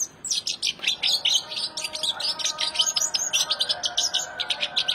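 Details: Singing male goldfinch: rapid, bright twittered notes strung together with liquid trills and short buzzes, a continuous high chattering phrase.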